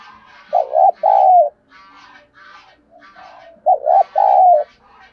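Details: Spotted dove cooing to call in wild doves: two phrases of a quick double note followed by a long, slightly falling coo. Higher chattering birds are heard throughout the background.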